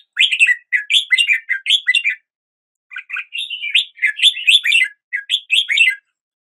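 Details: A red-whiskered bulbul delivers lively, bubbling song phrases of rapid up-and-down whistled notes in two long runs broken by a brief gap, clean and close.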